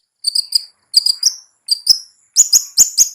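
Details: Cendet (long-tailed shrike) ngetet lure for caged birds: short clusters of thin high whistled and scratchy notes separated by pauses, ending in four sharp loud chips.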